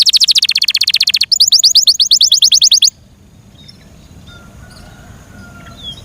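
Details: Yorkshire canary delivering two rapid rattling trills of evenly spaced notes, the second higher, followed by near silence with faint distant chirps.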